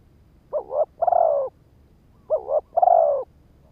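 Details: Spotted dove used as a decoy to trigger males, giving a pair of soft coo phrases: a quick warbling double note, then a drawn-out hollow coo, repeated after a gap.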